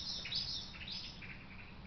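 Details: A common blackbird gives a quick run of sharp, high chinking alarm notes over steady hiss, calling loudly as a badger darts back into its sett; the cause of the alarm is unknown.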